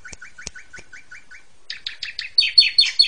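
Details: Asian pied starling in a therapy song for training songbirds, delivered in the energetic 'ngentrok' style: a run of short repeated chip notes, then louder harsh, rasping notes repeated about three per second.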